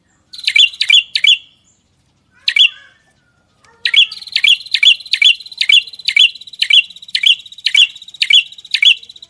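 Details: Songbird in a masteran recording opens with a few scattered chirps, then launches into a long, fast, even run of ringing, buzzy-edged notes, about two a second.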